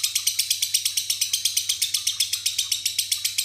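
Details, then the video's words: Lovebird singing ngekek with isian fill-ins such as jenggot, cililin and gereja, lifting one foot while singing; a fast, even chatter of sharp, high, ringing notes, roughly six a second, without a pause, with a low steady hum behind. "love bird ngekek isian"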